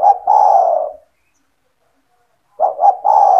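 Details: Owned spotted dove in lively calling form, its call played to lure other doves into calling along: a coo phrase of two short notes then a long falling coo, ending at one second; the phrase starts again at 2.6 seconds.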